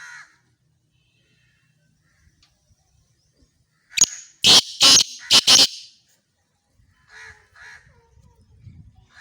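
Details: Black francolin in Khushab, Pakistan, calling with a high thin note followed by four harsh, scratchy bursts in a rapid rhythm. Fainter rasping notes come from further off afterwards, with soft rustling in the background.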